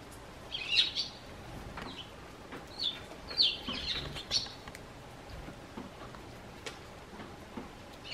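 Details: Eurasian tree sparrows that hop onto a garden bench by the front door, calling toward the homeowner. A handful of sharp, high chirps come in a loose cluster, then fade into light rustling and soft clicks.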